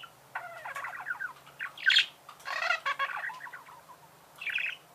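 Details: Pet budgerigar chirping: quick warbled chatter of short stacked notes, broken by a few sharper squawks and a brief harsh burst near the end.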